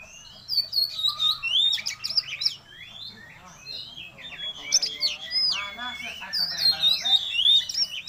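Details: Oriental magpie-robin back in full song after illness, pouring out varied phrases: sharp whistled upslurs, fast scratchy trills and mimic-like chatter. Phrases come in bursts with short pauses between them, all high and loud.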